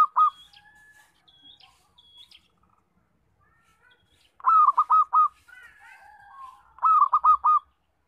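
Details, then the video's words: Loud local zebra dove song used to lure birds for trapping. Short bursts of four rapid, rolling coos come in clipped phrases, with a faint thin high whistled note repeating and brief softer chatter in between. "Suara Perkutut Lokal Kencang"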